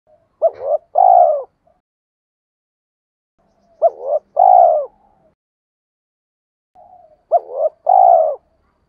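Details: Spotted dove cooing for training decoy birds: three low phrases roughly every three and a half seconds, each a short hooked coo followed by a longer, rolling, slightly falling coo, with silence between.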